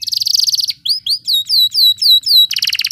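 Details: Canary in an intense rolling song, played as a tutor recording to get canaries that rarely sing to start rolling: a fast buzzy trill, then a series of slurred whistled notes falling in pitch, then another rapid rattling trill.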